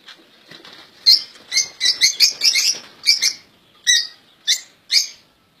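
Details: Caged European goldfinches, kept as pet birds, sing bright, tinkling, twittering song in quick bursts of high chirps. Some notes are doubled, with short pauses between phrases and faint flutters in between.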